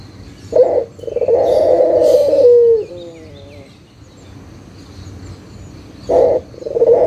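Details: Lure recording of a local Barbary dove for reluctant doves: a quick low note leads into a long rolling coo that falls away, trailing faint whistly overtones, then another short burst.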